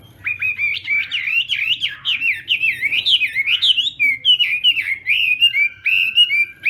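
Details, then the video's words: Chinese hwamei in morning voice training, contest song: a steady string of rapid, down-slurred whistled notes repeated in a lively series, then shorter ringing whistles. "Hoạ Mi Hót Đấu /hoạ mi hót sáng luyện giọng"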